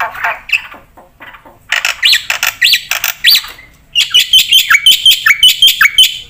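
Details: Black-winged myna in full energetic song for tutoring and luring other birds: scratchy opening notes, then loud rising whistles among harsh chatter, followed by a fast run of bright metallic chirps.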